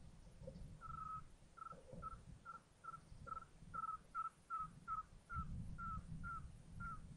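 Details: Eurasian scops owl at a nest with five owlets in Tiszaeszlár, Hungary, 19 June 2022: a rapid run of short, clear mid-pitched whistled notes, about three per second, over a low rumbling background.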